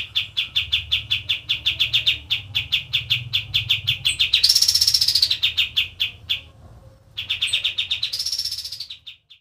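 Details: Caged white-eye delivering a long, fast trill of high sharp notes, swelling twice into a dense buzzy outburst, with a short pause before the trill resumes.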